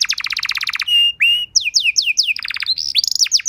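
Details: Canary performing a teaching song: fast double-pitched pulsed trill, two long steady whistles, a string of swooping downslurs, another trill and rising-falling notes.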